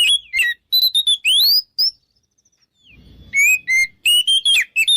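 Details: Oriental magpie-robin in 'ngeplong' song meant to goad rival birds into fighting. Sharp whistles and upward-sweeping slurs start it off, then a quiet gap with faint low rumble, then a renewed run of bright varied notes.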